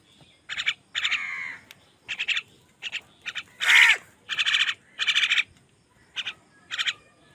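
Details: Angry crow contesting food with wild birds: a drawn-out, falling, raspy caw and later a louder harsh caw, interleaved with clipped, buzzy chatter notes at irregular intervals.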